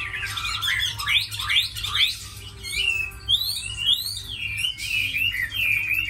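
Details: Tame Chinese hwamei in captivity, prized for fighting and singing, pouring out loud varied phrases: sweeping slurred whistles, sharp upward strokes and rolling trills in quick succession.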